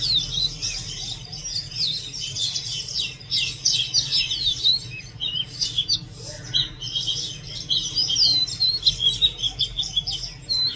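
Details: Continuous, busy Oriental magpie-robin song: rapid chattering and twittering high notes packed closely together, scratchy and whistled mixed, running for about ten seconds over low background hum.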